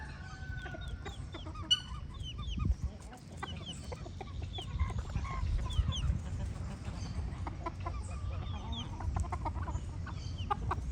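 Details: Farmyard chickens clucking, with repeated short clucks scattered across the recording, mixed with many high chirps from small birds and a constant low-pitched rumble underneath.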